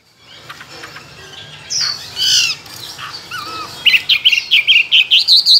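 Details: Caged Chinese hwamei, tame and trained for singing contests, with many wild voices. Muffled noise and a few harsh notes at first, then a quick series of bright looping whistles rising toward the end.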